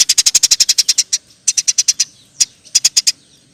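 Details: Eurasian tree sparrow in long "nyerecet" chattering song. A rapid burst of about twelve piercing chirps is followed by shorter runs of five and four after small pauses.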